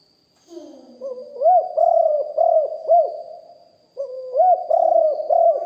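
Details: Deep-voiced decoy spotted dove recorded live: two lio hoi style phrases of low hooting coos, each opening with a quiet short note and ending on a clipped arched hoot, with faint lower murmurs at the start.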